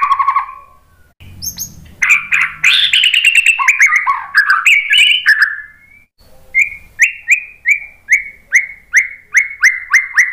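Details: White-rumped shama performing a lure song for prompting birds to sing back. Loud, varied warbling and trills give way to a steady series of clear down-slurred whistles, about two per second.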